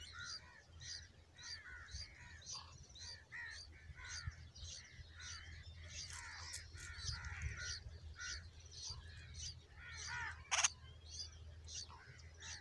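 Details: Bulbul chicks being fed a large worm by a parent: harsh, raspy calls repeated rapidly for several seconds, a dense chattering series with one loud sharp burst near the end, over a low steady hum.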